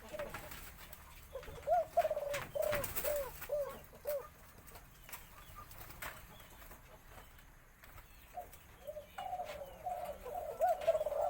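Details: White-coloured Spotted Dove crowing in the full four-note 'khan yon' style with a deep, medium-to-large voice; bursts of rhythmic coos, a pause, then another series, with some knocks and rustling in between.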